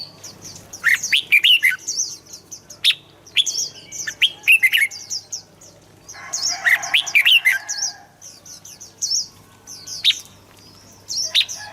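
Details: Red-whiskered bulbul singing, recorded for playing to excite birds. Rich, rolling phrases of four to six quick notes come around 1, 4.5 and 7 seconds, backed by constant high twittering from other birds.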